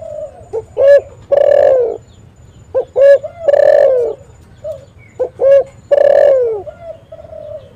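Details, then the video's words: Spotted dove recorded as a caller for trapping: three loud, evenly spaced phrases, each a short sharp note then a long, hollow coo sliding downward, with faint cooing from other doves between them. "SUARA BURUNG TEKUKUR ini JAGO MEMANGGIL untuk PANCINGAN & PIKAT"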